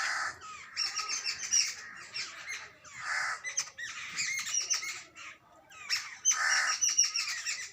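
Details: Jungle babbler chicks and adults giving harsh, raspy squawking calls in thick bursts separated by brief pauses, several birds overlapping, with thin squeaky notes mixed in.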